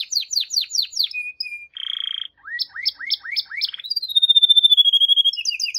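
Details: Canary performing a varied song of repeated falling notes, a short level whistle, a buzzy roll, upslurred chirps and a long whistle over a rapid trill.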